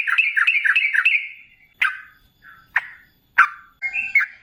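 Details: Sooty-headed bulbul, called trucukan, in lure song to draw replies: a quick string of four bubbly notes, then scattered sharp single chirps and a short warbled phrase separated by short silences.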